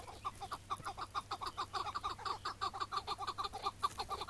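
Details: Chukar partridge, morning, May 2017, heard while trapped and later released. Rhythmic chuck notes pulse about twice per second in a steady, rising-intensity series.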